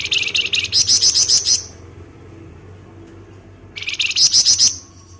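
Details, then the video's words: Flamboyan delivering ngebren song for use as a lure. Two long bursts of rapid, shrill, repeated chirps, each roughly a second and a half, separated by a quiet gap of about two seconds. "Rajanya Ngebren Burung Flamboyan"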